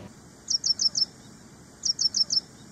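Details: Ashy prinia in an edited training-song recording styled like ciblek semi: two bursts of four sharp, high, evenly spaced chirps, the second burst following after a short pause, over a faint steady hiss.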